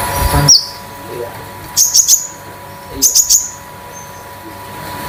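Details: Olive-backed sunbird (konin), a 'damer metalik' bird kept at home as a master tutor and lure for other birds; two short bursts of thin, very high chirps with a sharp click at the start and a quiet background between.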